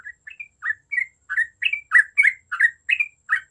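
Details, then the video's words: Yellow-vented bulbul in lively full song: bubbly, gurgling short phrases around mid pitch, delivered in quick bursts about three times a second, with brighter high clicks in between and a faint steady high tone behind. "TRUCUK GACOR AMPUH UNTUK EMANCING BUNYI TRUCUKAN OMBYOKAN"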